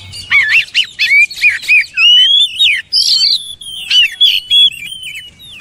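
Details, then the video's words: Oriental magpie-robin song: a rich stream of looping, wavering whistles and short chirps, delivered in fast loud bursts with brief pauses, clear against a quiet background. "DENGAR KICAUAN JOSS INI"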